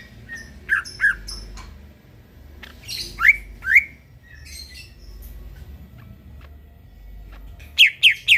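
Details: Greater green leafbird at midnight, recorded as a training song. Sparse phrases: a pair of whistled notes, two loud upswept calls, a long quiet gap, then three quick emphatic chirps. A faint low hum underneath.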